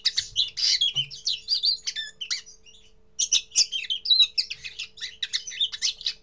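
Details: A common linnet gives its first song, a fast, twittering jumble of buzzy trills and bright chirps in two bursts with a brief pause between them.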